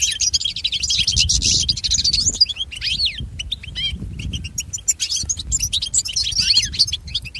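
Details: European goldfinch song meant for training pet goldfinches. Bright, buzzy twittering bursts and sweeping slurred notes, broken by short pauses, over faint low noise.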